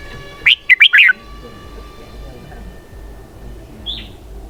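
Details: Red-whiskered bulbul giving a "xoắn kép" (double twist) song phrase: four loud, clipped warbling notes in fast succession, then a long quiet stretch ending with one faint high note over constant low hum.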